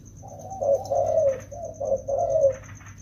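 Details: Rainy-season training of two wild-caught spotted doves: a phrase of low, rough, rolling coos, rising and falling in loudness, with some soft scratchy background noise.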